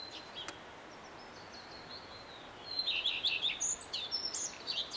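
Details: A male common redstart sings a quick burst of high, twittering, slightly scratchy notes after a thin sustained whistle, over a steady hiss of background noise.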